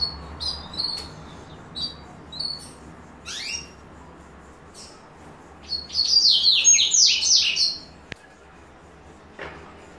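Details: Yellow-bellied seedeater singing: a run of short high whistled notes, then a rising sweep and a loud, rapid, buzzy warbled phrase before quiet.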